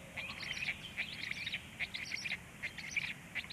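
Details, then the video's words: Nestling black storks calling during feeding at 19:13: rapid, irregular series of thin, high squeaks and chirps, roughly seventy per minute, overlapping in busy clusters over steady low background rumble. "melnais starkis chicks feeding"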